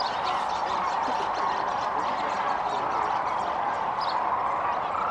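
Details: Near Kearny, Nebraska, many sandhill cranes resting during their spring migration in late February call at once, producing a steady, dense blend of rolling, bugling rattles with higher notes flickering over the top.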